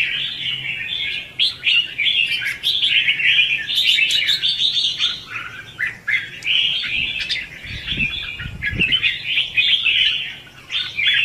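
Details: Decoy song of a red-whiskered bulbul for trapping and training birds: continuous scratchy, chattering warble with brief pauses, plus a few soft low thumps late in the recording.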